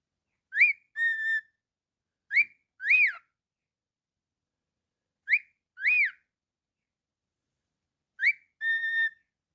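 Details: Pet cockatiel repeating a short whistled phrase about every three seconds: a quick rising-falling chirp followed by an arched or level whistle, with silence between phrases.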